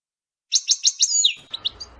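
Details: Goldfinch batbata played to draw in goldfinches for trapping: four evenly spaced sharp chirps, then a thin note sliding downward, followed by softer chirps over a faint low rumble.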